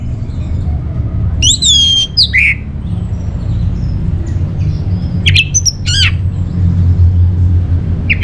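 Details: Sparse song of an orange-headed thrush, used as a lure and master song for caged birds: a few loud, swooping whistled phrases separated by long gaps of quiet.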